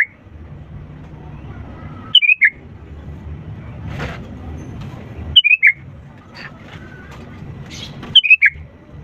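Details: Sooty-headed bulbul singing vigorously, used as a lure to prompt reluctant birds to sing: three short whistled phrases, each a quick cascade of falling notes, repeated about every three seconds over a steady low rumble.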